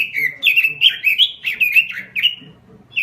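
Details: Robin singing vigorously in gacor form: a dense, continuous warble of bright whistled notes that swoop down and up, packed closely together, with a short pause near the end.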